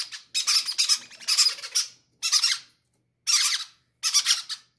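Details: Hungry baby parrots clamouring to be fed first; rough, noisy squawking bursts of rapid pulses, roughly one per second, broken by brief pauses in a small room.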